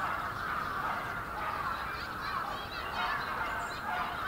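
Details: Large winter flock of bramblings in Yoyogi Park, February 2019; many overlapping thin, high chattering calls run continuously over a steady low background roar.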